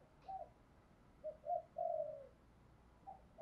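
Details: Lure spotted dove with a 'thổ pha đồng' song style, used to excite and train newly caught doves. Faint, soft coo notes rise to a longer drawn-out one, heard over a constant low hiss.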